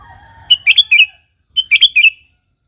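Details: A sooty-headed bulbul, used as a lure for other bulbuls, gives two rich phrases of four quick liquid notes about one second apart. Faint lower whistles sound before the first phrase.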